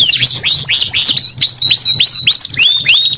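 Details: Canary singing clear, descending whistled sweeps at a quick, uneven pace, then shorter upslurred notes and flat held tones; faint low hum beneath.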